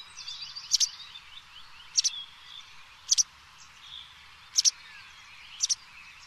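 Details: White wagtail giving sharp, high, two-syllable calls, five in about six seconds at uneven intervals, over faint twittering of other birds.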